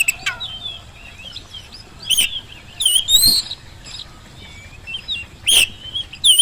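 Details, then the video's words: Oriental magpie-robin singing to draw answers from quiet birds: sparse, softer whistled phrases and sliding notes separated by pauses, punctuated by occasional loud, sharp, harsh notes. "kacer gacor pancingan kacer malas bunyi saat di rumah maupun di lapangan jadi cepat nyaut"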